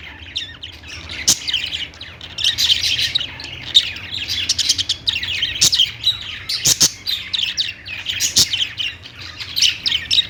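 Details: A flock of budgerigars twitters continuously, a rapid high chatter of short chirps and trills rising and falling in loudness, with occasional sharp ticks and a low steady hum.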